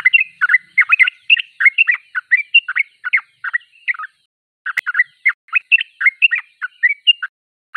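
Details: Yellow-vented bulbul singing vigorously: rapid bubbly chirped notes in short clusters, warbling between mid and high pitch, with a brief pause near the middle, then the chatter resumes.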